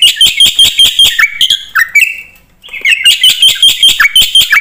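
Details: Javan pied starling in energetic varied song, used as a lure for other birds; fast chattering pulses and sliding whistles, a drawn-out buzzy note and a short lull, then the rapid chatter resumes.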